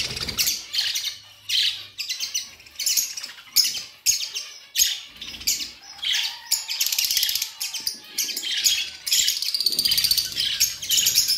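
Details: Budgerigars in chorus giving dense, continuous high chirping and chattering with rapid scratchy notes, loud throughout, over a low hum.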